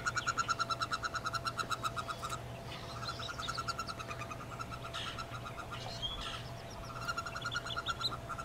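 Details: Wood duck ducklings, nineteen plus one hooded merganser chick, peeping inside a nest box in April 2013. Quick repeated high peeps overlap from several chicks, with scattered rustling in the middle and a constant low hum.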